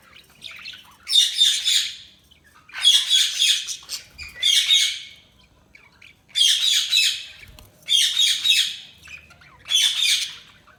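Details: Budgerigar chirping in loud bursts of buzzy, scratchy warbling about a second long, repeated roughly every one and a half seconds with short pauses between, little background noise.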